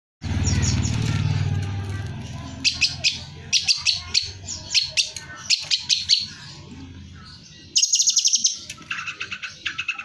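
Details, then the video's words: Long-tailed shrike, used as song-training audio for captive shrikes: a fast run of harsh, scratchy chattering bursts, about two each second, mixed with sharp high notes, after a low rumbling noise at the start. "Cocok buat master cendet anda denger suara ini lansung nyaut"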